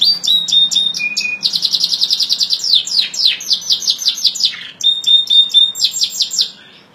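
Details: A canary sings a lively sequence: short clipped notes, a low whistle, a long rapid rolling trill, a dip, then a clear sustained whistle and more trills before fading out.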